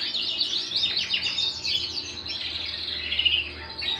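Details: Singing canary at home, delivering quick descending chirps that run into rolling trills and sustained whistled tones, high-pitched and unbroken throughout.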